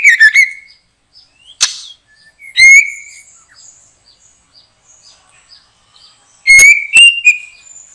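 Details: Backyard trapping of a white-rumped shama: scattered loud whistled phrases and a sharp burst, with faint high chirps filling the gaps before a final rising whistle.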